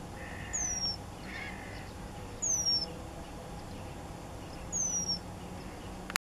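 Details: Eurasian penduline tit giving thin, high, descending whistled calls, each a single drawn-out slurred note, repeated three times about every two and a half seconds, over faint steady background hum.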